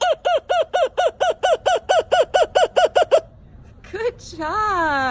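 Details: A Laughing Kookaburra, Australian kingfisher that calls in the mornings to communicate, gives a fast run of about fourteen harsh, cackling 'ha' notes, then breaks off; a brief voice follows at the end.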